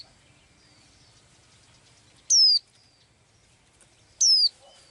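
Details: Blue-eyed bird singing as it does daily: two loud, high, downward-slurred whistles two seconds apart, with faint soft twittering before and between them.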